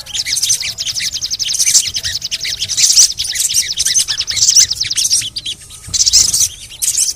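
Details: Sogon, the crimson sunbird, in training audio to make reluctant birds sing: rapid high-pitched trills of fast repeated ticks in bursts about a second long, then brief sharp chirps.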